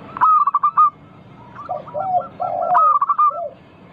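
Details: Zebra dove, local bird, singing as a lure to get other doves singing: two loud bursts of rapid clipped notes framing a run of lower rolling coos, with quieter repeated notes between.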